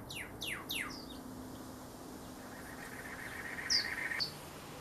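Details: A male Pyrrhuloxia calls his mate in Tucson desert country: three quick, sharp, downslurred notes at the start, then a low steady hum and two short high chips near the end.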